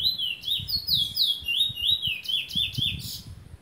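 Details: Rapid, continuous song of a lesser seed finch in Trinidad. Bright slurred whistles rise and fall in quick succession, with faint low knocking sounds underneath.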